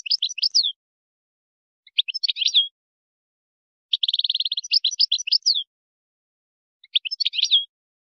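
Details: Moroccan-style wydani song of a European goldfinch for tutoring chicks and hybrids, given as four short bursts of tinkling chirps, one opening with a fast even trill, each ending in a slurred twittering flourish.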